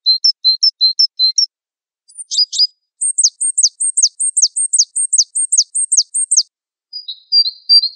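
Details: Java sparrow (wingko variety) mastering song: quick paired chips open the clip, then two sharp buzzy notes, then a long run of steeply falling high chirps, ending with thin whistled notes.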